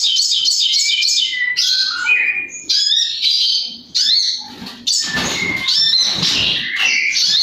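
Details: White-rumped shama in loud, rapid, varied song: dense bursts of high chirps, slurred whistles and buzzy trills, phrases tumbling into each other with only brief pauses.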